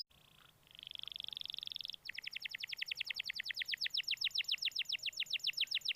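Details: Canary singing as a lure for a reluctant canary: a short buzzy note, then a steady high buzzing tone, breaking into a fast, regular trill of sharp sweeping notes that grows louder.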